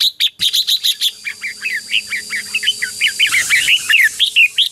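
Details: Red-whiskered bulbul singing competitive 'chế'-style song, used as a decoy to lure wild birds and excite trained birds: rapid bright warbled notes, then a dense run of short slurred rising-falling phrases repeated about one per second, with a steady high whine.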